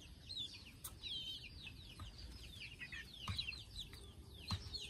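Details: Chicks getting ready to sleep peep continuously in a crowded high chorus of falling notes, with a couple of sharp clicks and a low hum in the background.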